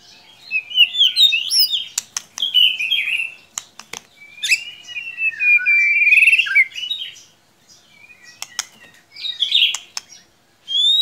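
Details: White-rumped shama song used to trigger a quiet shama: quick, jumbled whistled phrases and sharp clicks, a long rolling warble in the middle, then a short bright twitter near the end.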